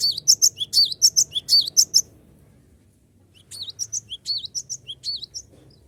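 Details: Cinereous tit singing actively to call rivals into song, used as a lure: two bursts of rapid, high, sharp chirped notes, each burst about two seconds, separated by a short silence.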